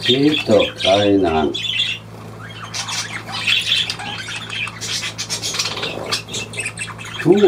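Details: Pet budgerigars heard indoors. A person speaks briefly at the start. Busy, scratchy chattering and short squawks follow, rising and falling irregularly over a steady low hum.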